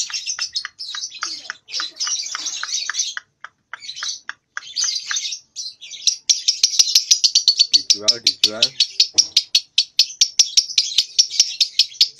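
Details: Lovebird aged about two months learning ngekek, still in short pieces; choppy buzzy chirps at first, then a long, fast even rattle of sharp repeated clicks, a brief lower nasal sound partway through.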